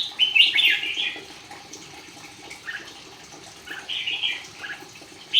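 Red-whiskered bulbul singing bright, bubbly whistled phrases in short bursts, two to three seconds apart, over a soft hiss of background noise.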